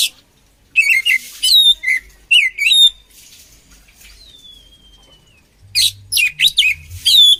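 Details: Oriental magpie-robin song used to train other magpie-robins: after a brief quiet start come rich whistled and slurred phrases, one long thin falling whistle, then a rapid run of scratchy, chattering notes near the end.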